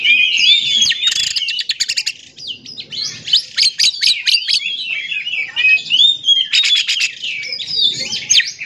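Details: Oriental magpie-robin song used to provoke other magpie-robins into singing: a rich, varied stream of whistled slurs and warbles interspersed with rapid buzzy rattles, faint voices underneath.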